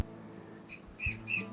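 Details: A pair of rainbow bee-eaters arriving at a waterhole in hot, dry, arid country near Burra, South Australia, in the warmer months: three short, high, slightly rolling chirps about a third of a second apart, over soft background music.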